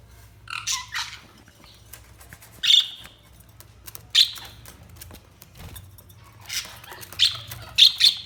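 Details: Budgerigars chirping: scattered short squawky chirps and brief warbling bursts, several seconds apart, against a quiet background with a faint low hum.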